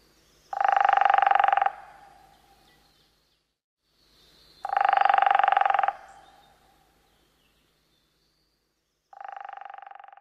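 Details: A Hairy Woodpecker drums, likely on a hollow dead tree, to defend territory or communicate with a mate. It gives three fast, even rolls of 25–30 beats, each about 1–2 seconds long, spaced several seconds apart, with a hollow, resonant wooden tone.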